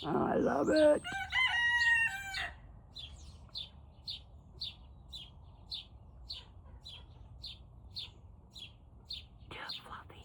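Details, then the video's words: At about 5 am, a Turken chicken just learning to crow gives a loud, cracked, quavering crow with sliding harmonic tones. Sharp high chirps then repeat about twice a second through the rest of the recording. "Turken sounds like dying chicken toy!"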